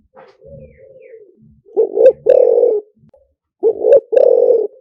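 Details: Spotted dove decoy song in the liw tan style, fast-answering: deep soft coos, paired rising then a longer held coo, repeated twice, with faint lower murmurs and a short soft note before.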